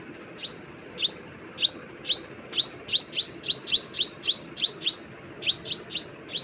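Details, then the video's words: A bird repeats a sharp, high chirp about twice a second, each note a quick downward-then-upward flick, over a steady low hum. "Birds sound"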